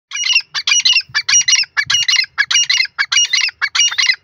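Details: Female grey francolin calling: a loud, steady series of harsh, grating notes, about two each second, continuing without pause for four seconds.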